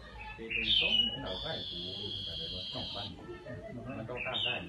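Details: Black-headed iora song for rousing wild birds: a brief slurred note, then one long, level, pure whistle held nearly two seconds, ending with a short upslurred note, over low murmuring background sound.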